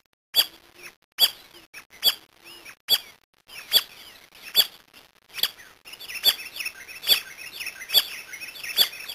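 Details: Brazilian Brasilia tapaculo calling a steady run of about eleven abrupt, high, clicking notes at even intervals, while a chorus of other birds grows louder and busier in the second half.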